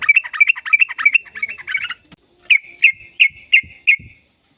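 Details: Yellow-vented bulbul in lively, long-rolling gacor ropel song: a fast run of bubbly chirps, then a short pause and five evenly spaced, sharp liquid notes.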